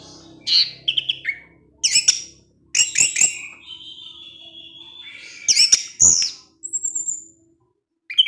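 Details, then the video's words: Orange-headed thrush kept in a cage, delivering scratchy chattering bursts, clipped notes and a sustained whistled tone, then a thin high whistle, with short pauses between phrases. "CUKUP SEKALI PUTAR ANIS MERAH SUSAH BUNYI PASTI NGEPLONG DENGAR SUARA NGECIP NGECIS TELER INI"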